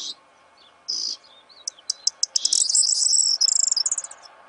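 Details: Corn bunting singing at close range in breeding season to attract a female: a few scattered high notes, then a series of sharp ticks quickening into a shimmering, jingling trill that ends in a run of fast clicks.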